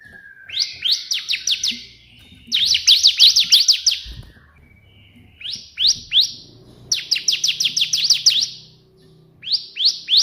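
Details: Bar-winged prinia in vigorous 'tembakan' burst song for tutoring: short bursts of four to eight crisp, high, steeply falling notes, each burst separated by a second or two of quiet.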